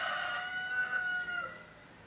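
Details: A peacock, Indian peafowl (Pavo cristatus), gives one loud, nasal wailing note, held steady for about a second and a half before dropping away at the end.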